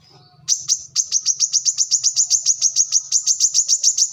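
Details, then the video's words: Brown-throated sunbird (kolibri kelapa) giving a fast run of sharp, high chips, about four a second, each slightly downslurred, over a faint low hum; lively singing used as a tutor recording for other birds. "kolibri kelapa"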